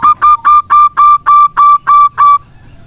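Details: Zebra dove of the local kind singing to coax silent doves: nine clear, even cooing notes at a steady pace, each ringing and slightly rising, then quiet.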